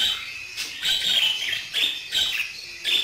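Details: Budgerigar warbling in quick, grating, buzzy notes, a steady stream of short chirruping bursts with little pause between them.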